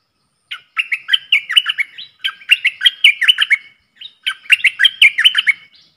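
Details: Caged bulbul singing in a duel with wild birds, 3 October 2021. Three loud, lively phrases of rapid, bouncing whistled notes that swing between high and low, each about one and a half seconds long.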